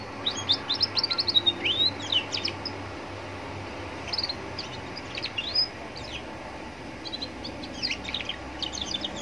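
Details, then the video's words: Roadside recording of a young Atlantic canary singing to coax other canaries into answering. Bursts of rapid high chirps and quick slurred whistles come in clusters with short pauses between, over a low traffic hum. "Pancingan kenari paud biar bunyi dengan suasana pinggir jalan bikin nyaut berjamaah"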